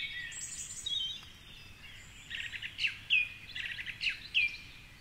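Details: Song thrush singing at dawn, 4.45am, from the top of a tall tree along the Curragheen River, Cork City. A stuttering phrase ending in a down-slurred whistle is delivered, then repeated once, above soft background hiss.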